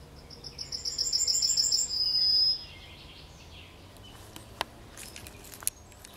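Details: Yellowhammer singing at the forest edge of Kabaty woods: a fast run of high, evenly repeated notes capped by a sustained thin whistle, followed by quiet rustling and scattered clicks.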